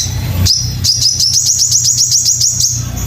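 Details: Crimson sunbird in a master recording used to train birds to sing: a high thin whistle, then a rapid series of about a dozen sharp, upward-flicking chirps, evenly repeated, over a low steady hum.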